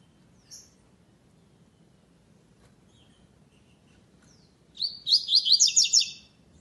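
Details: Double-collared seedeater named Magia in a web tournament for classic song without the third note. It sings a fast, bright phrase of about seven repeated high chirps, preceded by a lone faint note, over a low background hum.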